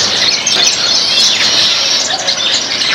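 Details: Backyard flock of Baya weavers feeding on grains, heard as an intense, unbroken stream of shrill chirps and twitters crowding together, loud and lively throughout.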